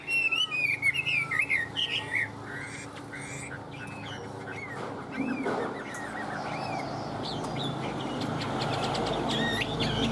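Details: A captive Chinese hwamei said to be in peak singing form gives a rush of loud, varied whistled phrases, rising and falling, then fades into a quieter stretch with background noise and faint voices.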